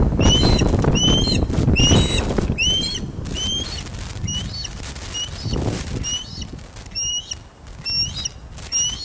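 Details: Ospreys calling at their Loch of the Lowes nest in Scotland on 31 August 2013 at 16:39 during a big fish delivery. A rapid burst of bright, upswept whistles slows into spaced single chirps, with wind rumbling underneath.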